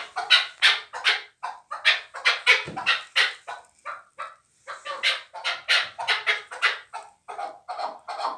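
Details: Chukar partridge, a young fighting bird from last year's brood, giving loud harsh chuck notes in a rapid, uneven run of about two and a half per second, with brief pauses between bursts.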